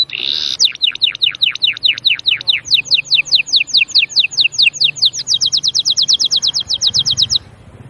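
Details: Canary song built from repeated tours: a series of slurred descending notes, then faster bright chips, then a rapid even trill of high notes, about four to six per second, ending abruptly in quiet.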